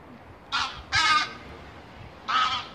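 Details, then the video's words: Canada geese passing overhead at nightfall on their way back to a nearby lake after daytime grazing; three loud, harsh honks, two close together, then a pause and a third, over a low steady hiss. "Nightly Canada Geese Flypass."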